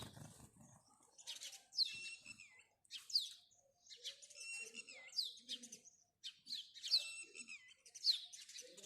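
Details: House sparrow chirping in repeated downward-sliding, ringing notes, often in quick pairs, with softer low chatter between the phrases.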